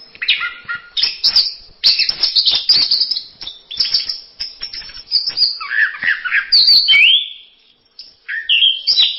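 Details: Varied masteran song of an orange-headed thrush: fast jumbled chattering and twittering phrases, then slurred whistled notes sweeping down and up, a brief pause, and a final twittered phrase.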